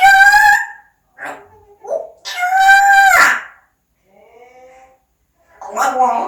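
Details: Pet parrot voicing loud nasal, harmonic speech-like sounds: an opening syllable, a few soft murmurs, a long steady phrase, then a faint tonal note and a rougher closing sound.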